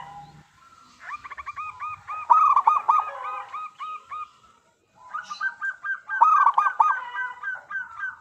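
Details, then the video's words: Local zebra dove (perkutut lokal) singing, used as a lure to get other doves to sing: two bouts of quick, rolling, repeated coo notes at a steady mid pitch, separated by a short pause. "Perkutut Lokal Gacor Suara Paling Ampuh Untuk Pancingan Burung Perkutut Agar Bunyi"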